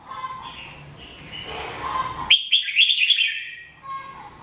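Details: Jambul, the red-whiskered bulbul, kept for daily song training; soft warbling first, then a burst of rapid chattering whistled notes lasting about a second, over steady low background noise.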